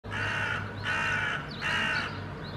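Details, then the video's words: A hooded crow parent perched in a park tree in Helsinki, Finland, in June 2022 gives three quick, harsh, grating warning caws, each about half a second long, over a faint low hum; a fledgling is on the ground, with a threat approaching, probably a dog walker. "Hooded Crow parent's warning calls"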